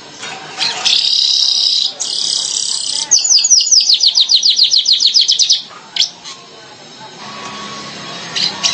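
Streaked weaver: two harsh, sizzling buzzes, then a quick run of about fifteen high ticking notes that slide lower, followed by a few scattered chips.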